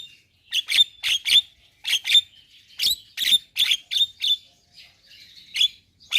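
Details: Javan myna (jalak kebo) in gacor song: clusters of sharp, clicking, buzzy chirps with thin whistled accents, delivered in uneven bursts separated by brief silences.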